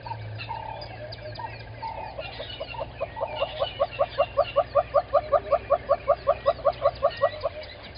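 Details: Little grebes at their nest at Gowrie dam, Djuma Game Reserve, Sabi Sand Wildtuin, South Africa, 05:35 on 10/10/20, giving a steady run of short, squeaky calls that grow louder over a low hum.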